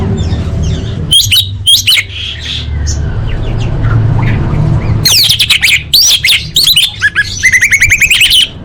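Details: Orange-headed thrush in full-fill song for training contest birds: harsh, squawky bursts early, then from the fifth second a fast, energetic sequence of sharp, looping and trilled notes over low background noise.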